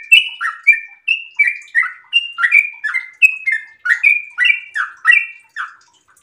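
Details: Breeding-condition sooty-headed bulbul singing a lively 'ropel' song: clear chirps and lower, husky slurred notes in quick pairs, ending with a short silence.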